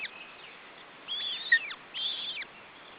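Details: Female osprey with three chicks at feeding time, June 2012, giving two loud bursts of shrill, piping whistles that slur downward at their ends, with fainter notes between, over background hiss.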